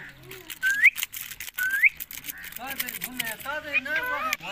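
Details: Green Indian ringneck parakeet talking to its owner: two quick rising whistles, then a run of speech-like, wavering syllables with rich harmonics, with a crackly background throughout.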